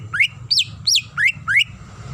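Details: Greater green leafbird, a female calling the male: five loud rising whistled upslurs, some sweeping up then sharply down, spaced about every third of a second, with a low steady hum underneath.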